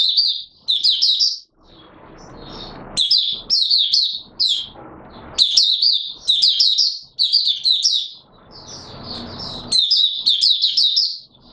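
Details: Oriental white-eye giving open song, recorded 24 March 2022: repeated bursts of fast, high, warbling twitters about every two seconds, with softer notes and a light hiss in the gaps.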